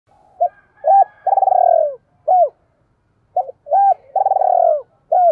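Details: Decoy spotted dove cooing to provoke wild doves: two phrases, each a short note, a hooked double note, a long rolling trilled coo sliding downward, then a sharp arched note, with a pause between phrases. Quiet background.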